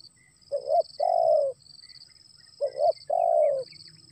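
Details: Spotted dove repeating its call as rain arrives. Two matching phrases about two seconds apart, each a stuttered double note leading into a long soft coo. A steady insect buzz sits high above.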